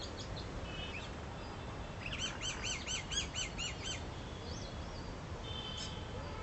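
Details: A Purple swamphen feeding with chicks; a quick run of about eight thin, high, arched cheeps over two seconds, with a few other scattered chirps over a low outdoor rumble.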